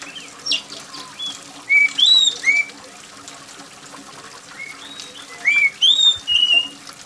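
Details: Oriental magpie-robin singing loud, shrill whistled phrases, clear upslurred and downslurred notes in two bursts with a quiet gap between, over a soft patter of rain and trickling water; played as therapy to prompt other magpie-robins to sing.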